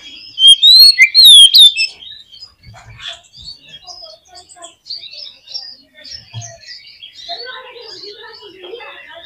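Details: Oriental magpie-robin (kacer) singing as a lure to make a caged bird respond: a strong run of ringing whistled notes with steep slides, then soft, scattered twittering and chatter continuing in the background.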